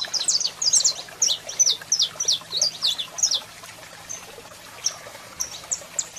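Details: Saffron finch male singing much, with a female calling: a fast volley of sharp, high downslurred chirps for about three seconds, then sparser single notes, against a low background hum.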